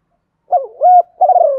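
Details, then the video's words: A single spotted dove phrase from a lure call meant to provoke rival males: a brief wavering coo, a sustained smooth coo, then a rolling, purring note that trails off and falls in pitch; no other sounds. "tiếng chim cu gáy kích bổi hiệu quả, giọng gáy gọi và thúc, tiếng gáy hạp bổi gây ức chế rất cao"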